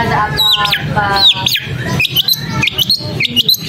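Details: Long-tailed shrike singing: sharp whistled notes sweeping up and down, with quick chirps repeated through the second half, preceded by a few harsh harmonic calls.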